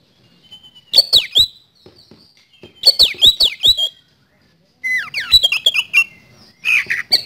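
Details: Oriental magpie-robin (kacer) delivering a 'nembak' phrase: short clusters of sharp, quickly repeated chirps and downward-slurred whistles, each burst about half a second long and separated by brief silences, the later phrases lower and buzzier.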